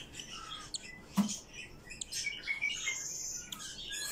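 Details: Two-day-old cockatiel chick making weak squeaky peeps and brief chirps at irregular intervals, with a soft thump near the start and low room noise.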